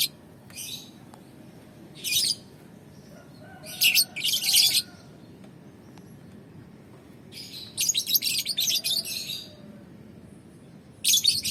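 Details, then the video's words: Sunning outdoors, a young balibu lovebird gives spaced bursts of harsh, rasping high chatter, each lasting about half a second to a second, with quiet gaps between and a longer scratchy run near the end. "Penjemuran Burung Lovebird Balibu"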